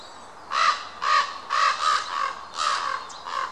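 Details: Common ravens meeting on a larch near Krasnoyarsk, Russia, in May 2013; six harsh, hoarse croaking caws, roughly every half second, some paired closely together, over a quiet background.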